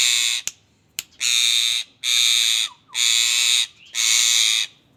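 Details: ['Indian ringneck parakeet screeching loudly, a series of four grating, buzzy squawks each lasting under a second, repeated roughly once a second, after two sharp clicks.']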